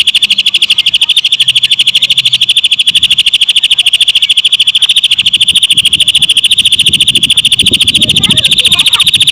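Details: Lovebird-style song from a Greater green leafbird, delivered as a dense run of rapid high chips that never pauses, the pulse rate staying even while low rustling and knocking noises rise behind it near the end.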